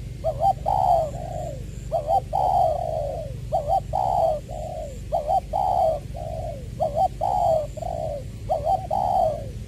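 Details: Spotted dove decoy from Trà Vinh (Long Đức), February 2021, with 'giọng tiểu' voice: brisk series of three-part phrases, a quick double note then a longer descending coo, repeated steadily about every one and a half seconds.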